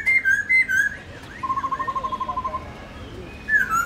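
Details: Black-throated laughingthrush wild-voice song for training young birds. Brief clear whistles frame an even, rapid trill of short notes lasting about a second.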